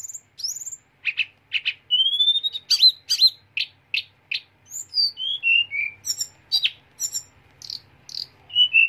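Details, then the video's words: A lark known as "teledekan gunung" sings a sharp, rolling song: a fast, varied run of sharp whistles, buzzy trills and falling slurs, high-pitched and delivered in quick bursts with no other sounds. "TELEDEKAN GUNUNG SUARA TAJAM NGEROLL TEMBAK"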